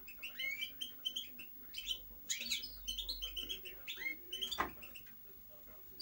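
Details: European goldfinch singing: rapid twittering and tinkling notes with short buzzy trills and upward-sweeping whistles, delivered in quick bursts separated by brief pauses, plus a faint steady low hum behind.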